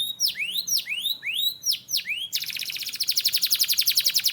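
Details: Canary training song: five loud rising-then-falling whistled notes, each about half a second apart, followed by a quick rolling trill of fast repeated notes.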